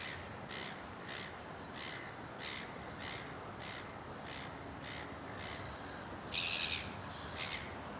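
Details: Indignant seagull screaming at a white-faced heron that ignores it: harsh, raspy calls repeated steadily about every half second, ending in a louder, more strained burst of screams, over a constant background hiss.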